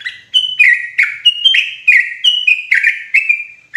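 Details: Yellow-vented bulbul (trucukan) lure song for trapping in forest: loud, bubbly chatter of short liquid notes, several every second, mid-high in pitch; no other sounds intrude.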